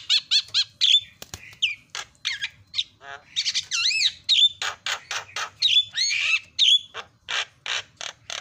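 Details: Javan myna in full lively song, used as a lure for a bird gone silent: rapid repeated whistled notes, looping slurred whistles, harsh raspy bursts and a fast stuttering series of clicks.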